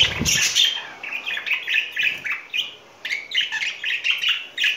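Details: Budgerigars, a courting pair in spring, chatter in lively scratchy warbles and squeaks; a dull thump or rustle at the very start, then continuous busy twittering.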